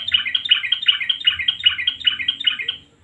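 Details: Male sooty-headed bulbul in the lively 'nguklik' style, combined with 'garuda' phrases, used as a lure so silent birds start singing: bubbly chattering notes repeated about four times a second, steady and loud, fading at the end.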